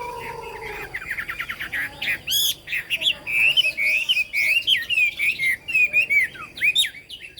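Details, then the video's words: Chinese hwamei singing in the 'cao cầu' style: low droning tones at the start give way to a loud, fast run of varied whistled slurs and rising-falling phrases, richly ornamented and tumbling one into the next. "Họa mi hót cao cầu"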